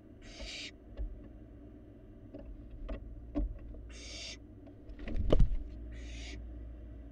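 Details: Young barn owl feeding in a Florida nest box, filmed by a live cam: three rasping hiss bursts spread across the stretch, mixed with scattered knocks and thumps of movement against a low hum.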